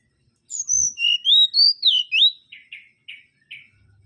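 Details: Mangrove whistler song: a high drawn whistle, then several loud swooping whistles that rise and fall, finished by four short buzzy chattering notes spaced about a third of a second apart; a faint low hum at the end.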